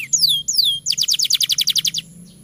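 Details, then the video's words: Canary song used as a master recording to prompt young or reluctant canaries to sing: two sweeping whistled notes falling from high pitch, then a fast rattling trill of about fourteen bright repeated notes, all high-pitched and clear over a faint low hum. "Suara MASTERAN Kenari Gacor Panjang Sangat Efektif Untuk PANCINGAN Kenari Bahan Dan Malas Bunyi"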